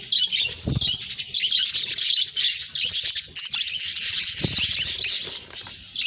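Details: Continuous chattering warble from captive budgerigars bred in varied colour mutations. Rapid high chirps and scratchy twitters overlap without pause, with a couple of low knocks early and midway.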